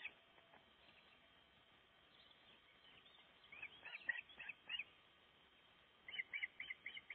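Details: Breeding osprey on its nest in Gribskov, Denmark, during nest building: after quiet background hiss, a rising burst of sharp whistled notes, then a faster repeated series of piping calls.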